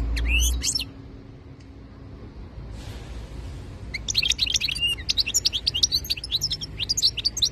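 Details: European goldfinch, locally called khalawi, singing in 2022: a rapid burst of bright twittering opens the recording, then a pause, then a long run of fast, jangling, high-pitched trills and chirps over a faint hum.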